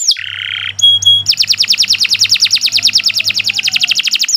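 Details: Canary singing a long master song for training: a buzzy harsh note, two pure held whistles, then a fast, even rolling trill of repeated downward-sweeping notes, about three per second.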